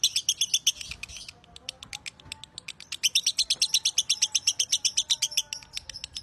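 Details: Lovebird singing for use as a training master: rapid piercing chatter, a looser pause of scattered clicks, then a long, even and intense sequence of high chirps.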